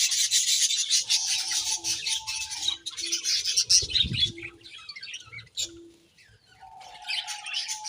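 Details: Budgies chatter busily with rapid high twittering notes, easing into a brief quieter gap midway before the chirping builds again over a thin steady low tone.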